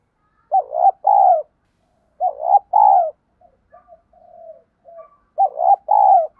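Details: Spotted dove lure with a field-type voice, meant to prompt new captive birds to coo: three phrases about two seconds apart, each a clipped double note leading into a drawn-out hollow coo, quiet murmurs in between.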